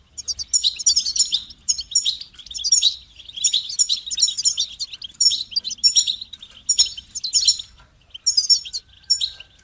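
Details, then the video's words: Goldfinch song: dense runs of high, tinkling twitters and trills that come in bursts separated by brief pauses, with steady loud phrasing throughout and a faint low hum beneath. "Amplifying the Goldfinch's Voice"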